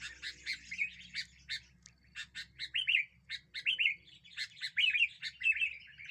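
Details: Sooty-headed bulbul singing persistently, used to lure and agitate other birds: quick chirps lead into repeated short, slurred, falling whistled phrases, rapid and loud throughout.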